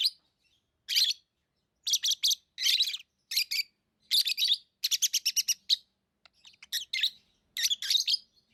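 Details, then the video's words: Lovebirds chattering with sharp, high, rasping chirps, including a fast rattling run of about seven evenly spaced notes, mixed with paired chirps and softer squeaks. "Love birds Sounds | lovebirds chirping sounds| parrot beautiful sounds"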